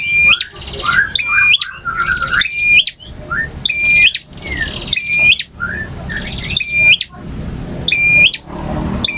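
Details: Male bar-winged prinia singing a long, varied song in the ngotot, ngalun and kristal styles: flat whistled notes ending in sharp upward flicks, mixed with buzzy trills, repeated roughly every 1.3 seconds.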